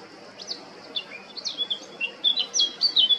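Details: Male Eurasian blackcap, Baška, island of Krk, Croatia, 20 July 2022, delivering a quick, bubbly warble of short chirps and whistled slurs that grows louder and denser toward the close.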